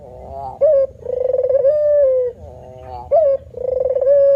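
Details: Cooing male spotted dove, called puter or balam locally, in lively manggung style. A short sharp upward-flicked note leads into a long mellow sustained coo, and the phrase repeats twice in a steady rhythm.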